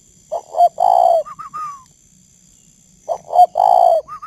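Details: Captive male spotted dove cooing at 11 at night, with a decoy bird, northern Vietnam. Two quick notes, a long throaty coo, then a short higher upslurred note. The whole phrase repeats after a pause of about a second.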